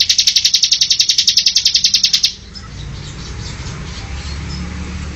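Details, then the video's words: Bar-winged prinia (ciblek) singing semi style as master audio for training cage birds. A rapid, high, evenly pulsed trill lasts about two seconds, then only a steady background hiss remains. "Masteran burung ciblek semi"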